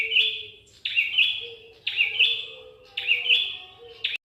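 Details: A Prenjak Kepala Merah prinia gives four rasping, trilled bursts, one per second. Each is high-pitched and wavering, with an explosive onset and a fading end. A soft, steady lower tone recurs in the background between phrases.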